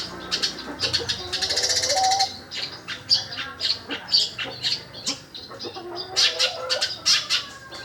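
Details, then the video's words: Shrike imitating a sparrow in its song, giving rapid, varied chirps and harsh squawks with a buzzy rattle near the start and a quieter patch midway. "cendet rasa burung gereja"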